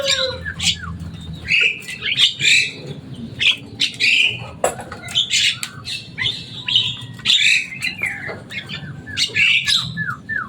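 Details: Javan myna, a noisy caged bird able to imitate speech, producing a steady stream of shrill squawks, short downslurred whistles and sharp clicks repeated throughout.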